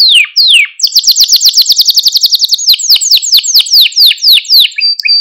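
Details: Song of a canary, recorded to teach young canaries and excite them: two clear downward-slurred notes, then a long fast series of sharp descending sweeps, later slowing into spaced swoops and a final short whistle.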